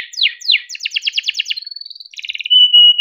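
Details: Domestic canary, a kept bird, singing a long chirping rolling song used to prompt other canaries to sing: rapid downward sweeps, then fast repeated trilled notes, a steady high whistle and a pure sustained tone.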